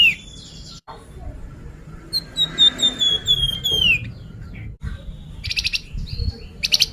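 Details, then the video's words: Lure recording of a Sunda pied fantail: one sweet phrase of about eight high whistled notes sliding gently lower and ending in a falling slur, preceded and followed by short chirps and buzzy bursts. "suara pancingan burung flamboyan"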